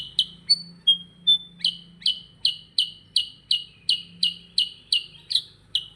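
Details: Sooty-headed bulbul, the kutilang sutra type, in 'gacor ngerol' rolling song: a few whistled notes open a long steady series of crisp high chips, about two and a half per second, over faint low hum.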